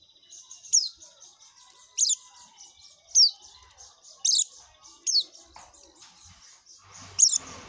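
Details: Oriental white-eye in ngekek song: sharp, high, falling notes repeated roughly once a second over a soft steady high buzz, ending in a louder shrill chirp.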